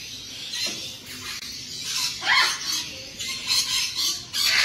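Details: A tame, newly arrived pet-store black-capped lory gives harsh, raspy squawks, with one louder screech that drops in pitch midway. Faint low background noise throughout.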